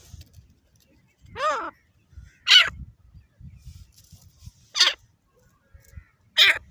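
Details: Desi Deccani grey francolin, a hand-fighting bird: loud, harsh, screeching calls given roughly every one to two seconds, the first one more nasal, over low rumbling background noise.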